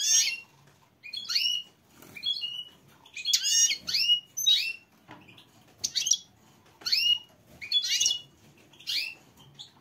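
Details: Female goldfinch calling for mating in a steady series of high, chattering chirp bursts, each with a downward-sweeping twitter, repeated about once a second over a faint background murmur.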